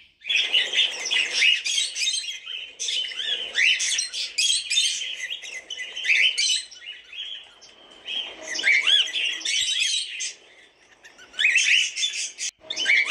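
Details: Flock of cockatiels chattering in bursts of harsh chirps and rising whistles, separated by brief quieter gaps.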